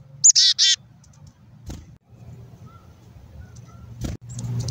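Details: Black-capped chickadees taking food from a hand: a sharp high note followed by three harsh, buzzy dee notes in quick succession, then quiet handling noise and a low background rumble.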